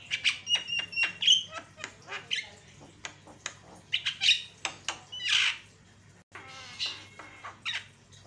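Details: Javan myna lure song for provoking other mynas: clicks, whistled steady tones and harsh rasping squawks mixed in an irregular chattering series, with a brief pause near the end.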